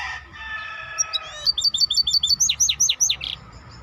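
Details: Maestro bird song: soft high notes, then a rapid run of sharp, clipped whistles that turn into loud downward-sweeping chirps repeated roughly five times a second, with a faint low hum behind.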